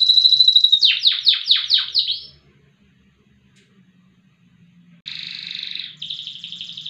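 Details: Loper-style canary with prized long, loud song: a thin whistle, then five quick descending sweeps, about three seconds of near silence with faint low hum, and a buzzy roll resuming.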